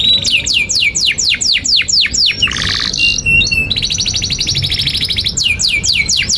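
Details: Caged canary giving long continuous 'gacor' song used as a master for tutoring young and stalled canaries: a run of quick down-slurred whistles, a buzzy burst, then a steady high rattling trill before more falling whistles.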